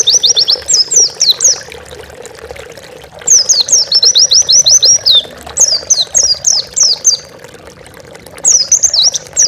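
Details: Oriental white-eye master song for training pet birds: loud repeated bursts of quick, high, downward-slurred twitters separated by short pauses, steady hum in the background.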